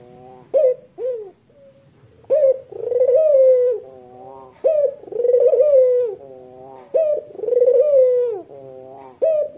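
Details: Barbary dove with white plumage and red eyes, its call played to attract local doves, cooing repeatedly. Each phrase is a clipped rising note, a drawn-out rolling coo and a quieter hum, about twenty-six phrases a minute, indoors.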